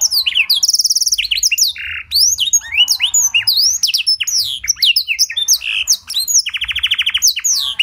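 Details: Canary with blackthroat fill-in, in clear voice, used as a tutor for other canaries. Dense, continuous song of buzzy trills, sharp slurred whistles and chips, ending in a rolling trill.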